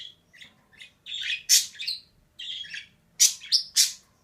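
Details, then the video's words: {'_': 'Female budgerigar, a pet bird, giving a run of short, bright chirps and squawky notes in bursts about a second apart, louder sharp peaks near the end, in a quiet small room.'} "DİŞİ MUHABBET KUŞU SESİ"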